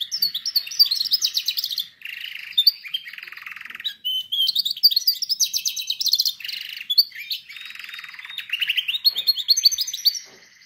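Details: Song of a canary, offered as training material for canaries, with alternating passages of fast clicking trills and lower buzzy rolling tours, each segment a couple of seconds long, nearly unbroken over ten seconds.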